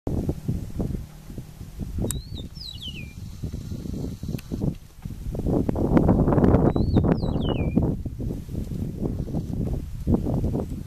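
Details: An Eastern meadowlark (Sturnella magna) in Barinas, Venezuela, gives two brief songs of clear, slurred whistles falling in pitch, a few seconds apart, half-buried under a steady low rumble of wind or handling noise.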